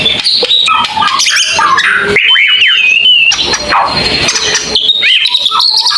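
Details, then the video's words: White-rumped shama singing long bursts (tembakan panjang): loud, dense run of varied whistles, sweeping slurs and sharp chips spread high and low, with a steady, sustained whistle in the middle and barely a pause. "mure tembakan panjang"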